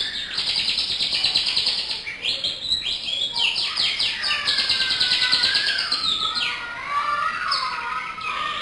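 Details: Local canary in full song, an unbroken rush of rapid chirps, buzzy rolls and sliding whistled phrases, busy and loud for the whole stretch.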